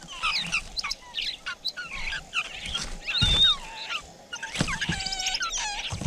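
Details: Laughingthrushes at a nest in the wild, parents tending chicks during rain: busy overlapping chirps, short whistled notes and downward-sweeping squeaky calls, several birds calling at once, with a low rumbling background.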